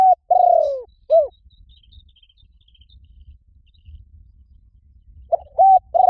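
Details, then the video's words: Spotted dove coos used as a lure for wild doves: a drawn-out descending coo and a short hooked note open the clip, then a quiet gap with faint distant chirps before the next mellow phrase begins. "เสียงนกเขาใหญ่ หมานๆ ต่อเข้าเร็ว ป่าไหนก็เข้า"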